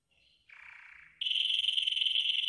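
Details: Golden yellow canary singing its training song: a soft high note, a buzzy lower roll, then a loud fast trill held to the end.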